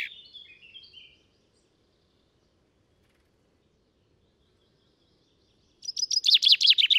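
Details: Common chaffinch singing in Britain, a very powerful song, captured on a Sound Devices MixPre 6 II with a Telinga Stereo Mk 3. A brief descending phrase fades out first, then silence, then a loud burst of rapid repeated notes building toward the end.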